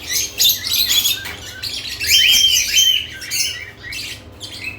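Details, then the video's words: Lovebirds active at added nest boxes, producing a rapid stream of high twittering chirps and squeaky notes, one drawn-out descending whistle in the middle, over a faint hum. "Lovebirds add nest boxes activity & chirping sounds"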